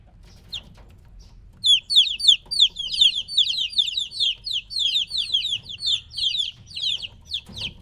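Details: Three-week-old chicks taken from their mother: near quiet at first, then from under two seconds a steady stream of piercing falling peeps, roughly three per second, from several chicks.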